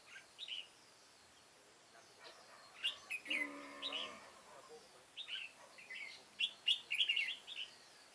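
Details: An older red-whiskered bulbul acting as trap decoy to draw in wild birds, recorded 9 September 2017: quick chirpy warbled phrases, several bursts close together, with a brief low droning sound in the middle.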